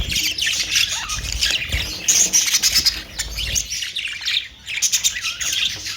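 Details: Budgerigar flock chattering with bright chirps and buzzy warbles, steady overlapping calls and one brief quieter moment before the chatter resumes.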